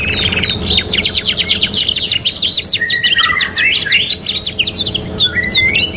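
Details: Canary song from a '3 in 1' tutoring recording: fast, dense ticking trills high up, while a lower warbled, rolling phrase rises and falls midway through, ending in short upward-slurred whistles.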